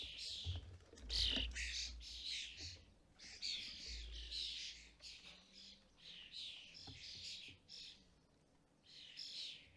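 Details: Busy UK bird feeder with European starling parents feeding fledglings; a stream of rasping, scratchy chirps and squeals in bursts, with a few soft low thuds and background hum.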